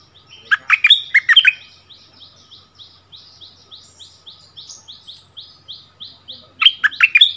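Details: Bulbul used as a decoy, brought back to its old territory to duel in song with a new resident territory holder: bursts of loud warbled, bubbly phrases open and close, while a long run of fainter, evenly spaced sliding notes carries on between.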